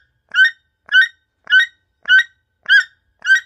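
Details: Toucan giving a steady series of hoarse, croaking calls, each a short grating burst, about six in three and a half seconds, evenly spaced with silence between them.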